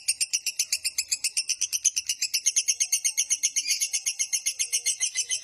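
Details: Long 'ngekek panjang' lovebird trill, played as a training master to lure lovebirds: a continuous string of rapid, shrill chattering notes, about four per second, even in loudness from start to finish.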